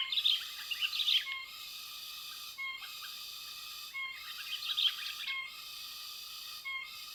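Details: Sooty-headed bulbul in West Lampung, Indonesia, during bird-luring for capture without glue: two short bursts of bright, jumbled chirps, the first about a second long, over a constant high whistling drone that dips at regular intervals.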